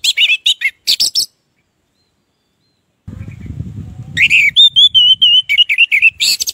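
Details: A captive orange-headed thrush in loud, varied song, used as a lure to prompt silent thrushes to sing: bursts of sweet whistles and sharp chirps, with a long pause and a low rumbling noise midway.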